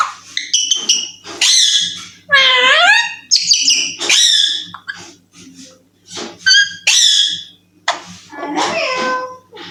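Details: Young talking Alexandrine parakeet that says "I love you", producing dense back-to-back squawky, harmonic syllables with sweeping pitch, some rising then falling. A brief quiet gap sits near the middle, and a low hum runs underneath.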